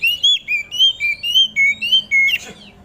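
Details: Close, loud song of an Oriental magpie-robin in the dew, meant to make other magpie-robins sing: about nine smooth whistled notes in quick succession, alternating higher and lower, ending in a short harsh note.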